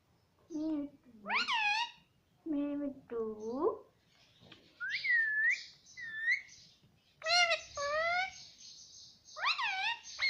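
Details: Pet talking parrot that says "mummy": low nasal word-like syllables first, then bright whistled slurs and a sustained high hiss-like tone, in several separate phrases.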